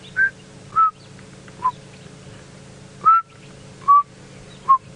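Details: Chinspot Batis recorded on a morning safari drive in Djuma game reserve, Sabi Sand, South Africa, on 20 June 2017, gives two sets of three clear whistled notes, each stepping down like 'three blind mice', over a low hum.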